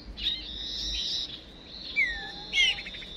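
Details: Female decoy songbird calling to push males to sing: a thin, sustained high whistle with a few sharp downslurred chirps and one bright, twisting whistled note near the end.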